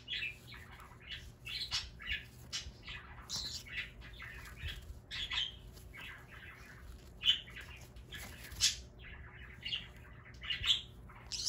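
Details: Indoor pet green-cheeked conure from Aichi, Japan, screeching as it plays: repeated harsh squawks and chirps in uneven clusters, with the loudest screams coming near the end.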